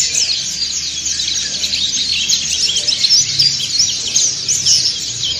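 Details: Group ngriwik singing by dakun and montanus white-eyes, used to train other white-eyes; a busy, shrill, overlapping chatter of rapid high chirps and slurred notes that never stops, forming a thick bright chorus.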